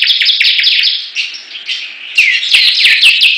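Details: Bar-winged prinias in a song battle: fast, high chirping phrases of slurred notes, softening briefly in the middle, then returning louder with sharper, ringing notes.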